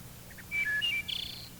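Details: Single wood thrush phrase on an old identification tape: soft introductory notes, then the flute-like eole whistles stepping up and down, closing with a brief high fluttered buzz, with low tape hum beneath.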